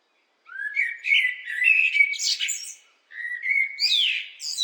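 A blackbird sings two unhurried phrases, each opening with a mellow, fluted warble and ending in a higher, scratchy twitter. No other sounds intrude.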